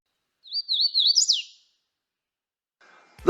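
A Hooded Warbler sings one clear, whistled phrase of quick wavering notes that ends in an emphatic, sharply down-slurred note. A voice cuts in at the end.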